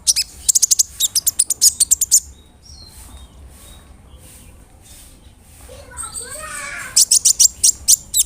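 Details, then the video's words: Brown-throated sunbird lure song to provoke other sunbirds: rapid rattling bursts of very high ticks at start and end, with softer scattered notes in between. "PANCINGAN KONIN GACOR BODY BIG SUARA NYES BIKIN KONIN LAIN TAMBAH EMOSI"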